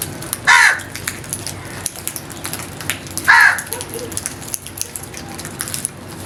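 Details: Crow calling twice, each a short, harsh, rasping caw about three seconds apart, over a constant patter of what sounds like rain with light ticking noises.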